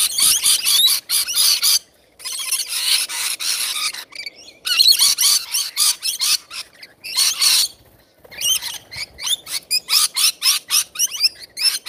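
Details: Wild rainbow lorikeets feeding, a flock producing loud continuous harsh screeching and chattering, broken by brief pauses, with rapid squeaky notes toward the end.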